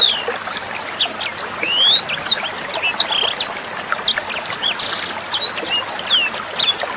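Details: Sanger bird singing, recorded as clear tutor material for songbirds such as young sangers, with gentle water sounds. Dense run of thin high chips, short rising and falling whistles and brief buzzy notes, nearly continuous over a soft trickling background.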